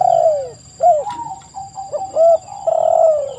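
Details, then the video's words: A short burst of spotted dove cooing, used as a lure: one long falling coo, then clipped notes and a steady drawn-out note, soft and throaty, with a faint high whine in the background. "TEKUKUR GACOR suara merdu"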